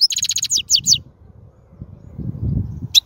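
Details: Wild European goldfinch giving a short, fast twittering trill of high bright notes, followed by a stretch of low rumbling background noise and one final brief chirp.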